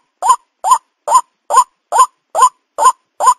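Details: Repeated calling of a white-breasted waterhen, a recording played to lure and catch the birds: eight clipped, croaking notes, each slightly rising, delivered at an even pace of roughly two per second against silence.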